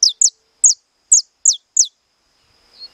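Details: Saffron finch singing in the estalado style: six sharp, high, snapping notes, each sweeping steeply downward, delivered in quick uneven succession over about two seconds against a faint steady high hiss.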